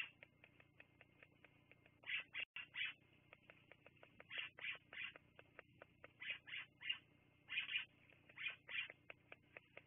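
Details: Bald eagles at Fraser Point, filmed by a live nature camera on 10/02/2022 at 16:59: repeated high piping, chattering notes in clusters of two or three from the second second onward, over a steady run of faint ticking clicks.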